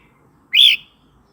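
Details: A single Red-whiskered bulbul song note, sung for tutoring young birds and goading new or old wild birds; a bright, slurred whistle rising sharply and trailing off downward, brief and clean.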